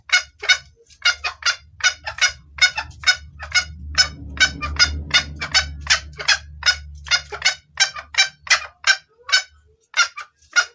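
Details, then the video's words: Female junglefowl calling to the male, a clear-voiced call meant for luring males: rapid, harsh clucking notes, about two or three per second, in an uneven run of some twenty-five calls over a low background hum. "Suara ayam hutan betina gacor pangil pejantan"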